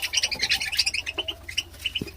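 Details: Pet budgerigars, several together, giving quick pulsing chirps and warbles in rapid succession, the chatter thinning toward the end, with a single soft low thump.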